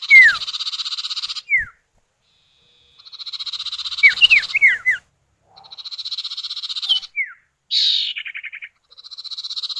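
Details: Common iora pair, male and female (sirtu or cipow), calling back and forth as a lure to set other birds off: repeated buzzy pulsed rattles overlapping with clear downslurred whistles, sometimes three in quick succession, almost continuous throughout.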